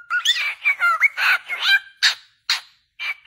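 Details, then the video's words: Cockatiels singing happily: a run of whistled, warbling notes sliding up and down, with bends and quick rises, then three separate short buzzy chirps after a brief pause. "Calopsitas cantando muito feliz"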